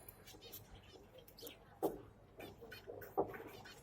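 Zebra finch chicks give short nasal calls, with two louder harsh notes among softer chatter in a room.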